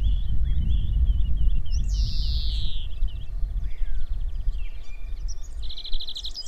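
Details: European greenfinch song from the Dutch coast: a strained, buzzy wheeze early on among twittering chirps, with a rapid rattling trill near the end, and strong wind throughout.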